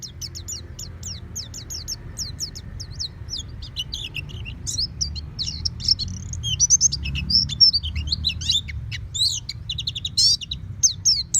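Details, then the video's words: Home-kept oriental white-eye delivering ngeplong song: steady high, thin falling chirps that build into a denser, tangled twittering chatter, over a faint low rumble. "Terapi Pleci Rumahan Agar Cepat Bunyi Ngeplong Full Buka Paruh"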